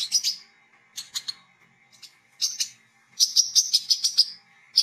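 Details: Olive-backed sunbird in lively gacor song, ngriwik and ngecret chatter while learning ngeplong, played to lure sunbirds; scratchy high chirp clusters lead into a fast run of ringing tweets, over a faint constant hum.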